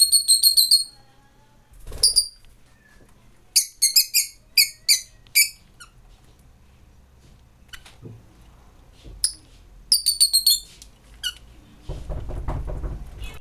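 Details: A female Rosy-faced lovebird begs for more food from a male that regurgitates to feed her in courtship, giving high, squeaky chirps in quick bursts of three to five notes, ending in a low rustling thump.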